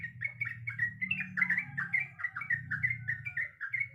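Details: Female sooty-headed bulbul in heat calling a male with rapid chains of rich, gurgling whistles that swoop up and down, steadily repeated, over a continuous low hum.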